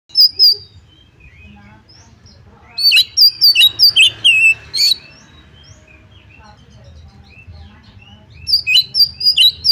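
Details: Oriental magpie-robin song used as a lure to provoke another bird to fight and spread its tail: bright, high whistled and chirping notes in quick bursts of about a second, with quiet pauses and a low steady hum behind.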